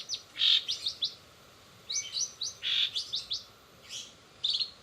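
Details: Uneven bursts of high chirps and bright whistles from a long-tailed shrike singing 'rol spid' style, its song filled with greja BR, greja restu, sogon and kenari imitations, with gaps between phrases.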